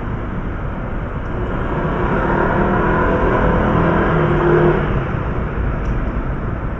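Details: Loud, continuous road traffic and engine rumble outdoors in an urban setting, with no clear animal call.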